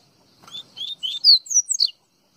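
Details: Pernambuco double-collared seedeater delivering a short Baiano-style phrase: about seven clear, high whistled notes that step upward in pitch, with the last note swooping down, over a quiet background.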